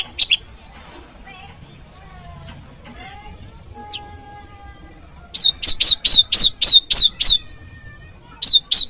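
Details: Prenjak jawa challenge call, used to lure wild prinias: faint whistles and twitters at first, then a loud run of about eight strong, evenly spaced high chips and a final short pair.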